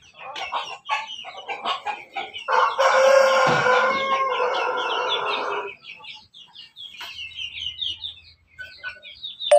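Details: Backyard rooster from a Pelung-Bangkok cross giving quick chattering notes, then a sustained, hoarse crow lasting about three seconds, and afterwards more rapid chirpy chuckles.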